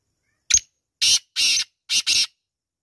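Black francolin: a sharp opening note, then four harsh, grating, high-pitched bursts in two quick pairs, all within about two seconds.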